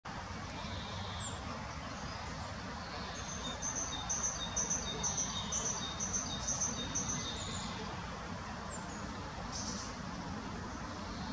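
A young fieldfare gives a quick run of thin, high, clipped notes, about two a second, over a steady roar of wind or distant traffic.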